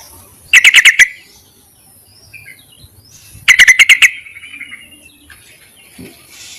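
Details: Yellow-vented bulbul calling to males, used as a lure: two rapid bursts of six or seven bubbly chirps about three seconds apart, with faint softer notes between.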